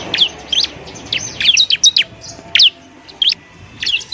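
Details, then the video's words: Bar-winged prinia song recorded as a model for training other cage birds: loud high sweeping chirps, some rising and some falling, delivered in irregular clusters with brief silent gaps. "masteran burung ciblek"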